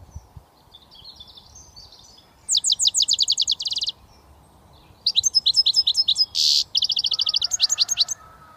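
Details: European goldfinch from Britain, a young bird just learning to whistle, delivers two bursts of rapid, high, rattling buzzy notes, the second with twittered chirps and a harsh rasp mixed in.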